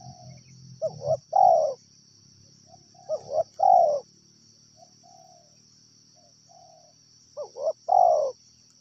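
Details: A wild spotted dove coos in a regular rhythm: quiet lead-in notes, a quick double note, then a rich falling coo, three times. A low rumble and an unbroken high whine lie beneath.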